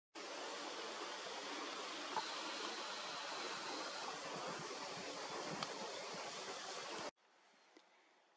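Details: A steady rushing roar like water or wind fills seven seconds, then cuts off abruptly to near silence, with no animal voice heard.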